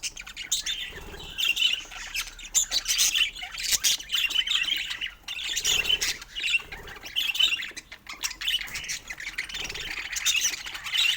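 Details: Pet budgies keep up a long, lively warble of high chirps, squawks and raspy notes in waves, with short gaps between bursts.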